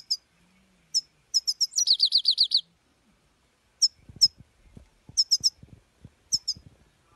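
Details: European goldfinch singing: quick high chips leading into a short rolling trill of repeated falling notes, followed by sparse sharp double chips; soft low clicks or tapping in the latter half.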